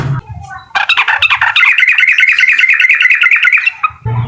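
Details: Sooty-headed bulbul in uklik style, meant to make a rival emotional: a sudden loud burst opens a sustained run of fast, evenly pulsed chattering notes lasting about three seconds.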